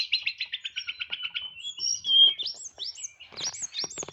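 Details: White-rumped shama, a caged contest bird with a complete song full of fillers in a clipped 'nyeklek' style: fast run of short repeated chirps, then a bright whistle, then looping high whistled phrases mixed with rattling notes.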